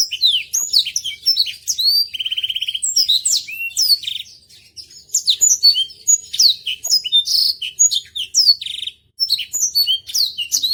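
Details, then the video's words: Slow "Peter Tosh" song from a Botswana blackthroat, kept as a tutor for other birds: a long, dense run of high sweeping whistles and chirps with a rapid buzzy trill, short breaks, then more varied notes. "Blackthroat Botswana "Peter Tosh" Gacor Kicau slow cocok untuk masteran"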